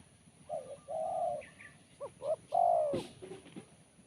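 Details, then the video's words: Spotted dove singing in the kuk 1 style, with a voice described as sharp and crisp: low, mellow coos, a short double note, then a long bending final coo. "Poin BL Kuk 1 Suara Mersik Tajam"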